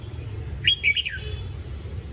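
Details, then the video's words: Red-whiskered bulbul training song, a single short phrase of three or four clear slurred whistles rising and falling, against a low background rumble. "Luyện giọng chào mào"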